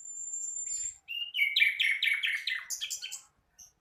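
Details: Flycatcher, a young sikatan londo still practising its song; opens with a thin, very high sustained whistle, then a rapid stream of chirped, slightly buzzy notes stepping up and down in pitch.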